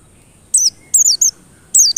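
White-eye giving three quick bursts of very high, thin, twittering notes that slide downward, with short gaps between phrases; nothing else is heard.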